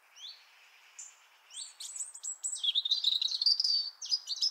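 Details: In Liepāja, Latvia, January 2023, a European robin opens with a few thin rising whistles, then runs into a long, fast, jumbled warble of high twittering notes.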